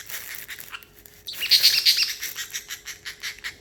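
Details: Pet male parrotlet, excited after treats and almonds and plucking his feathers, gives rapid, high chirps and squeaky trills at about three per second, imitating water sounds; soft speech faintly at the start; parrotlet.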